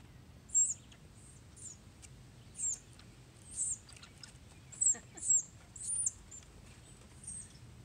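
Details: Red-bellied woodpecker chick begging while being fed: very high, thin squeaky bursts about once a second over a faint background hiss.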